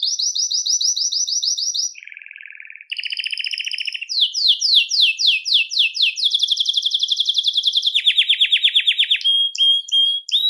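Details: Belgian canary singing to attract and call canaries, a varied song of fast high trills: steady rapid notes, a lower buzzy stretch, descending sweeps, then dense rolling trills and a few sharp notes at the close.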